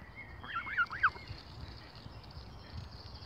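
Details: A lone gosling with no siblings, often bullied by other goose families, gives three short arched peeps in quick succession, each rising then falling, followed by quiet outdoor background with a low rumble.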